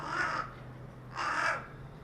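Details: Two hoarse, drawn-out caws a second apart from a carrion crow calling on a utility pole in a residential neighbourhood, recorded 4 February 2021, over a steady low hum.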